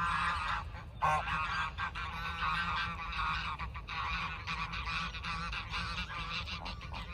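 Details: A flock of geese honking without pause, many nasal, reedy honks overlapping into a busy chorus with brief dips in loudness, over a low background rumble.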